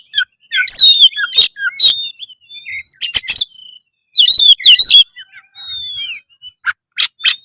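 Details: Oriental magpie-robin in full loud song meant to raise breeding urge and fighting mood: dense clusters of bright warbled notes, scratchy bursts and one long descending whistle, with brief silent gaps between.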